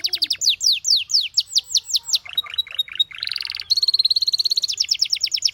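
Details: Canary song made of fast repeated descending whistled notes, moving into a rolling mid-pitched trill, then a sustained high steady trill and a final run of rapid sweeping notes.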